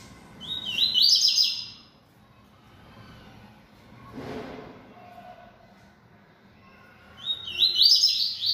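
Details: Captive yellow-bellied seedeater singing repeatedly: a quick, bright, twittering phrase, several seconds of near quiet with a soft low thud, then another sharp, rapid phrase of high trilled notes.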